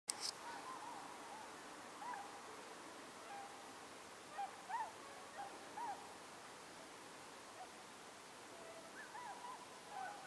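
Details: A flock of whooper swans arriving on migration flies overhead at night on 15 October 2015 at Mutsu, Shimokita, Japan, giving distant, scattered soft bugling honks, single or in short pairs, a few seconds apart over a steady hiss.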